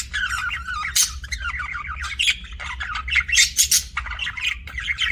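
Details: Budgerigars in an aviary keep up dense twittering, mixing fast rising and falling chirps with harsh clicking squawks, almost no pauses across five seconds, over a soft low-frequency hum.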